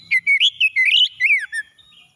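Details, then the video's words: Morning song of an oriental magpie-robin, meant to restore stressed birds: a continuous, lively string of rich whistles, upslurs and downslurred notes with short chirps, all clear and loud. "KACER PAGI PEMULIH KACER SETRES MACET BUNYI LANGSUNG CEPAT GACOR"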